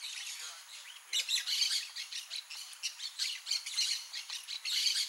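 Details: Blaze-winged parakeet (Pyrrhura devillei), a rare bird, giving harsh, buzzy squawks in rapid bursts, nearly continuous, with about a dozen loud rasping notes after the first second.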